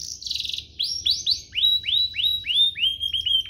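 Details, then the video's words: Canary singing, meant for tutoring young canaries and encouraging them to sing: a brief buzzy trill followed by a steady series of upswept whistled notes, about three per second. "Cengkoknya MEWAH, Efektif buat Masteran kenari paud dan pancingan kenari biar gacor"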